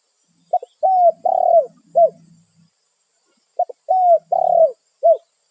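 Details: Wild spotted dove, a territorial bird, calling to its companions: a phrase of soft, low coos, a short note, two longer falling coos, then a clipped final note, repeated after about three seconds in near silence.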